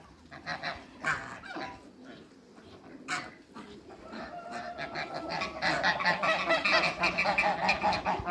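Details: Toulouse and African geese, a group of eight, meeting new geese. Scattered single honks at first, then honking grows louder and faster in the second half into a rapid, overlapping run of nasal calls.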